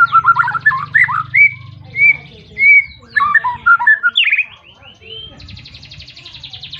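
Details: White-rumped shama in full, persistent song calling a rival, meant to provoke other shamas into singing: clear whistled phrases, some rising and slurred, some held level, in bursts with short pauses, ending in a higher buzzy trill.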